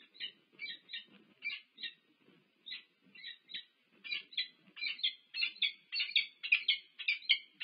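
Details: Peregrine falcons in courtship at a nest at UC Berkeley, USA, 1 March 2023, nest camera; rasping, stuttering call bursts in quick succession, rising in intensity, over a faint low rumble.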